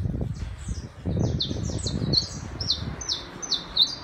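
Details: Saffron finch singing in the city, one of a tame pair that came to a terrace: a string of about ten short, high, downslurred chirps in quick succession over a low background rumble.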